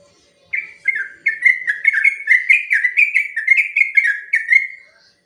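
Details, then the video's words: Long song of a sooty-headed bulbul, meant to train other birds and draw responses: about five seconds of fast, rolling whistled notes, each sliding downward, run together in an even chattering stream. "Suara burung trucuk ropel panjang"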